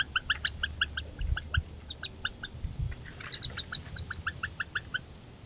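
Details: A Northern harrier family at dinner time, with growing young as the mother drops a meal and a thief appears: quick series of short, sharp, ringing notes, several per second, overlapping as if from several birds, over low wind rumble.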